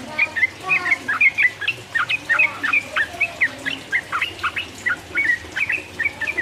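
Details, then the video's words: Provocative 'ropel uplik uplik' singing of a Sooty-headed bulbul, meant to excite rival birds: a steady stream of short, liquid whistles, about four per second, alternating rising and dropping notes, with a soft background hum. "mancing lawan jadi emosi, trucuk gacor ropel uplik uplik merangsang lawan"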